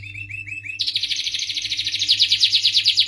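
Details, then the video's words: Starblue canary singing: a few upslurred chirps, then a long, high, rapid rolling trill that grows louder and more buzzy over about two seconds, over a faint low electrical hum. "suara merdu kenari starblue"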